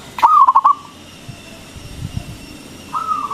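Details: Big-voiced local zebra dove, sung as a lure to provoke other doves into answering: one loud phrase of fast pulsed coos, a quiet gap with faint low knocks, then another cooing phrase beginning.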